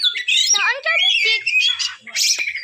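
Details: Oriental magpie-robin singing a rich, varied phrase of rapid chattering notes, slurred whistles and harsh buzzy bursts, mostly high-pitched with brief pauses between segments; a faint low note appears near the end.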